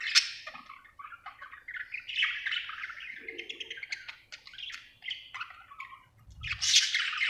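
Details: Budgerigar in a happy mood giving quick twittering chirps and scratchy warbled notes, with a louder harsh squawk near the end.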